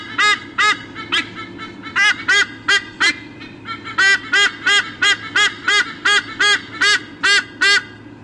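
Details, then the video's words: Eagle parents calling at the nest before a changeover, Sydney Olympic Park, Australia, August 2014, on a nest camera: a few scattered honks at first, then a steady run of loud, evenly spaced squawks. "Mom and Dad have a squawkathon before changing over"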